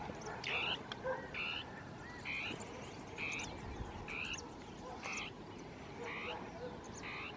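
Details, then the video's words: Two Northern tapaculos interacting in thick scrub, singing territorially: evenly spaced, short, harsh buzzy notes, each slightly downslurred, repeated near once a second, with faint lower calls and rustling underneath. "CHURRIN DEL NORTE (Scytalopus fuscus) CANTANDO"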